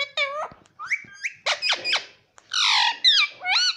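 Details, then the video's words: Talking parrot indoors mimicking "Mummy", producing a rapid series of harmonic, swooping syllables and harsh squawk-like notes, some rising sharply, in quick irregular bursts over a few seconds. "Mummy Bolne Wala Tota"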